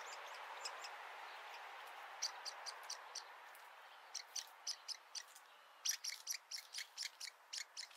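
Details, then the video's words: Woodpecker nestlings sticking their heads out of the nest for the first time to be fed beg with high, short chirps, first in loose bursts, then a fast run of about twelve calls at roughly four per second, over soft hiss. "Nestlings sticking out their head for the first time to feed"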